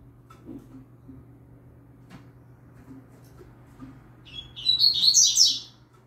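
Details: Young double-collared seedeater singing firmly, recorded as training material, with a green-winged saltator also singing in the background; after quiet low hum, a short burst of high, fast, buzzy twittering notes closes the recording.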